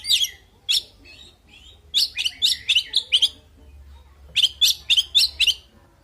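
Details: Oriental magpie-robin (kacer) fighting song delivered as two quick volleys of piercing, chirpy notes, about five to six each, separated by a quiet gap, with a faint background hum.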